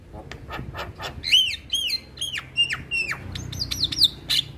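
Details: Male Javan myna song, used to prompt other mynas to sing: clear whistled notes with strong harmonics, each dropping then leveling off, repeated several times, followed by scratchy clicks and high squeaks.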